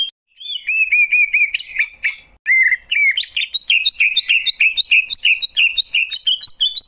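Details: Greater green leafbird song, praised as beautiful: a fast, continuous stream of varied whistled and chirping notes, many short phrases repeated in quick succession with sharp rising and falling slurs, loud and clear with no other sounds.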